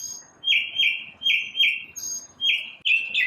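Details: One bird singing in the morning: repeated downslurred chirps, roughly two per second, each starting sharp and high and then sliding lower.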